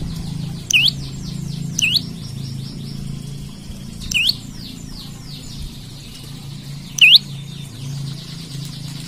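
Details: Olive-backed tailorbird singing actively and calling out as if seeking a rival, used as a lure or tutor bird. Sharp, loud, V-shaped chirps come about every one to three seconds over a steady high warbling backdrop and low hum.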